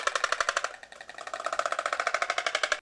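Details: Oriental stork at a restoration stork park in Yesan, South Korea, clattering its bill as a territorial warning to a stranger entering its area: a fast, dry wooden rattle of about ten claps a second that slackens briefly, then picks up again.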